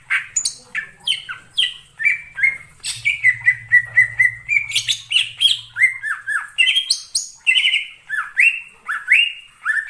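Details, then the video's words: Wild greater green leafbird singing in forest: a long continuous string of varied whistles, rapid level trills and downward slurs with scattered harsh chips, over a faint low hum in the middle part. "suara cucak ijo di alam liar_ijo hutan"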